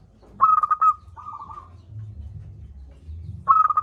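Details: Local zebra dove in full voice, meant to spur reluctant doves: a stammering coo burst, a softer purring coo, then the next burst beginning after a short pause, with low rumbling behind.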